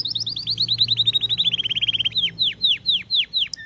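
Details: Belgian canary song opens with a quick, even rolling trill of high whistled notes and slows into a series of loud, separate downslurred whistles, roughly three per second.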